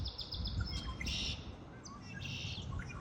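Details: Spring birdsong with short, bright buzzy trills repeated at intervals of about a second, plus scattered thin chirps, over a constant low-pitched rumble.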